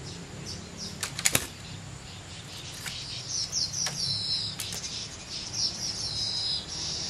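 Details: A common hill myna sunbathing after a mist-spray bath, recorded on 11 December 2015, gives sharp clicks, then high whistled and buzzy chirps in short bursts over a steady low hum.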